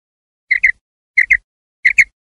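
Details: Common quail (Coturnix coturnix) call: clear, liquid whistled double notes, each pair sharply rising and falling, repeated three times about two-thirds of a second apart against silence.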